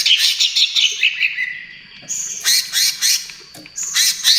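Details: Greater green leafbird singing trotol style, a lure and therapy song: quick chattering notes and a falling whistle, followed by a steady thin whistled tone broken by loud harsh rattling bursts.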